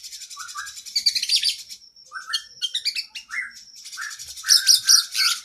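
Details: A kacer (oriental magpie-robin) masteran with varied isian: fast high trills, a sustained pure whistle, short low slurred notes scattered between bursts, ending in loud ringing rapid phrases.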